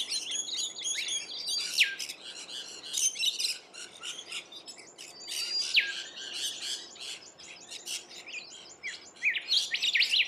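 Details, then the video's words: Rainbow lorikeets feeding in Australia, a busy chorus of overlapping shrill screeches, squeaks and rasping chatter from several birds throughout. "Rainbow Lorikeets Feeding"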